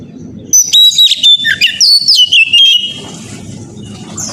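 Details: Oriental magpie-robin morning song, used as a lure to get young birds singing: a loud two-second burst of clear, varied whistles with sharp rising and falling slurs, then it stops, leaving low hum and faint background noise.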